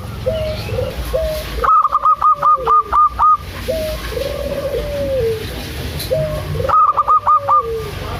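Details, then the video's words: Local zebra dove singing vigorously, meant to coax a dove that rarely calls. Long run of about eight quick, ringing staccato notes, then lower curved coos, then another shorter burst of clipped notes; steady low rumble beneath. "PANCINGAN AMPUH 💯 % UNTUK PERKUTUT MALAS BUNYI‼️ PERKUTUT LOKAL GACOR DOOR"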